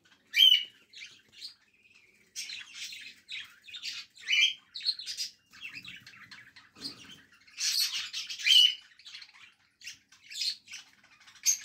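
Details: Four young cockatiels that found a new nesting place after their nesting material was changed give harsh, raspy chirps and squawks in quick, uneven bursts.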